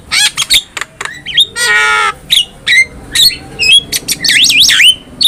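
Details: Master recording of a black-winged myna for training cage birds, with sharp clicking notes, a loud harsh rasping burst, then looping wavy whistles, and a faint hum behind.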